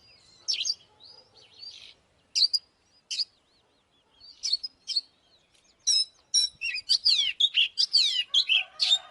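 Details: Oriental magpie-robin song used to stir up fighting: scattered sharp whistled notes give way to a dense run of rapid, varied sweeping whistles and trills, with quiet gaps between the early phrases.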